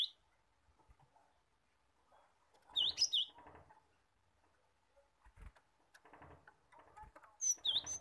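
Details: Cinereous tit, played to prompt untrained caged birds to sing. Two short bursts of shrill, high chirping notes several seconds apart, with low knocks and rustling in between.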